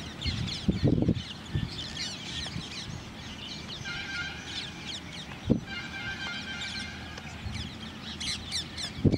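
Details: Common myna, male and female, calling: a run of steady harmonic whistled notes mid-clip among busy high chirping from many birds, with low thumps and rustling at the start and end.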